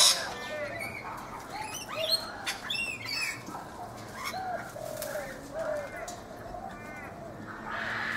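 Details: Rainbow lorikeets feeding in a backyard guava tree in Brisbane, Australia, give harsh, scratchy screeches in quick bursts. Softer, lower, looping notes from other birds are heard beneath them.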